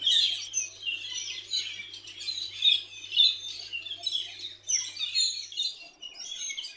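Metallic starlings keep up a steady stream of high, squeaky chatters and wheezy notes, several voices overlapping in a busy, unbroken babble.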